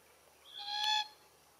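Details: Glossy Black-Cockatoo, subspecies lathami, at feed trees in Capertee Valley where the birds eat Allocasuarina verticillata seeds: a single clear wailing call about half a second long, with strong stacked harmonics above a steady low tone, against quiet background.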